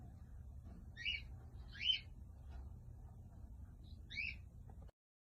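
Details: Cockatiel giving three short, bright chirps spaced about a second apart and then a pause, each note with a sharp ringing edge, over a steady low room hum.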